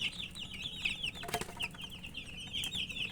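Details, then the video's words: Baby chickens wanting water produce high, slurred peeping calls from several birds at once, with a burst of clattering noise in the middle. "Murgi chicks Chirping sounds with thirst for drink water"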